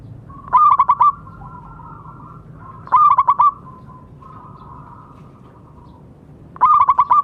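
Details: Zebra dove, a local bird and a keen singer, recorded to prompt silent doves: three short bursts of four or five quick coos about two and a half seconds apart, with gentle trailing coos in between.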